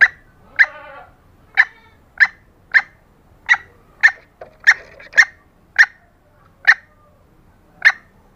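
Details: Calling female green junglefowl used as a lure for males: about a dozen crisp, short notes at irregular half-second to one-second gaps, with one drawn harmonic call near the start.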